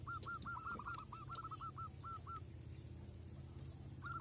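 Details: Zebra dove calling as a lure for wild doves: a quick, even series of short hooked coos that stops after about two seconds, then resumes faintly, over low droning background noise.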